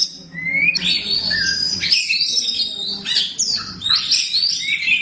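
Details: Oriental magpie-robin, called black kacer, singing energetically: a rising whistle opens, then bursts of rich high warbling and chattering notes, separated by short gaps of about a second.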